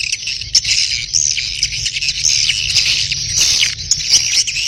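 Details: Swiftlet calling in breeding mood: a steady wash of shrill chattering chirps with short sharp whistles scattered through, over a faint low hum.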